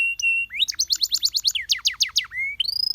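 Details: Canary song opening on a steady whistle, then a run of quick downward-sweeping notes at about four per second, a low held tone, and a rising phrase into a fine rapid trill.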